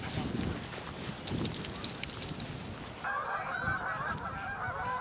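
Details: A riverside flock of thousands of Canada geese near Truro, March 22, 2014. Rustling, windy noise gives way midway to a steady chorus of overlapping honks and chattering calls from many birds at once.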